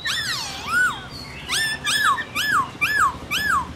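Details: Khướu bạc má, the black-throated laughingthrush, in forest-voice song (giọng rừng): a mellow swooping whistle, then five arched whistled notes repeated about every half second.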